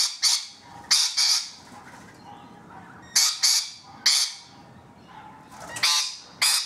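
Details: Rainbow lorikeets on a balcony giving loud, harsh, rasping screeches in short bursts, spaced irregularly about a second apart, with quiet background between calls.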